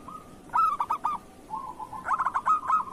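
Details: A local zebra dove gives kerot-style song, meant as a training master for other doves: two loud, clipped coo bursts with soft, purring trills before, between and after them.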